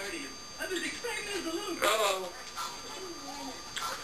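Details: Pet African grey parrot talking when left alone in a room: a run of mumbled speech-like syllables with rising and falling tones and one louder burst midway, indoors with a faint constant hum.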